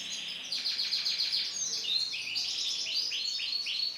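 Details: Male canary of lemon colour singing: a continuous run of rapid, high trills and twittering notes, starting with fast repeated chips, then sweeping, whistled phrases rising and falling, with no other clear sounds.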